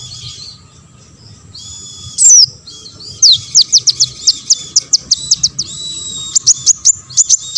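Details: Olive-backed sunbird song for triggering other sunbirds to sing; high sustained trill, then a fast series of sharp evenly spaced ticking chirps, roughly four per second, ending in another thin trill.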